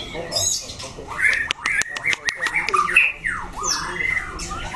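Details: A loud-voiced competition white-rumped shama kept as a cage bird sings sweeping whistled notes broken by sharp clicking bursts, then clear downslurred and upslurred whistles.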